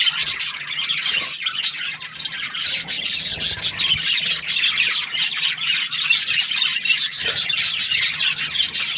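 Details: A happy budgerigar chirps nonstop: dense, high, scratchy twittering with short whistled notes that rise and fall, in a steady stream for the whole stretch.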